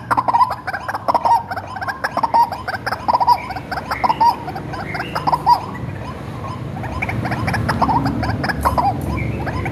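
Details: Hand-reared white-breasted waterhen used as a lure call: a series of short, harsh croaking notes repeated about once a second, loud at first and then fading, over a steady low hum.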